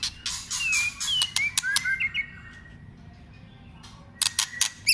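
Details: Trained white-rumped shama being excited for competition song: a burst of clicks and short slurred whistles over two seconds, a near-silent pause, then more sharp clicks at the end.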